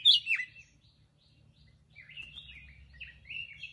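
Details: Black-crested bulbul giving a brief song: a loud, sharp downward note, a pause, then a run of warbling, chattering phrases at middle-high pitch. The background is otherwise quiet.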